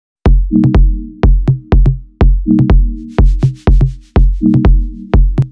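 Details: Electronic dance music with a pounding drum-machine beat and bass; no animal sound is heard.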